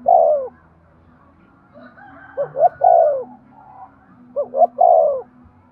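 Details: Spotted dove giving a cooing call meant to rouse breeding activity: a clipped phrase start, then two full phrases of two short rising notes and a longer, falling, mellow coo, about two seconds apart, over a faint low hum.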